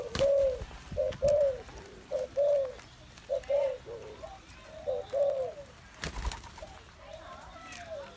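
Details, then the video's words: Spotted dove kept in a cage, recorded 21 August 2021, cooing in soft, low, hollow notes grouped in short phrases of two or three, repeated several times, with a sharp knock around six seconds. "cu gáy"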